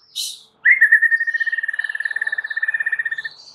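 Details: Played to make a silent White-rumped shama sing: one high note, then a long, even trill of rapid whistled pulses at a steady pitch lasting nearly three seconds.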